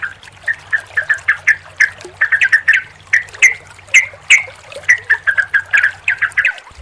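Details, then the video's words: Sooty-headed bulbul combination song meant to coax a non-singing or stressed caged bird into singing: lively series of short, clear chirps and slurred notes in quick bursts, a few sharper high accents, low electrical hum underneath. "SUARA TRUCUKAN KOMBINASI YANG JITU UNTUK TERAPI TRUCUK MACET BUNYI DAN STRESS, PANCINGAN RELAKSASI."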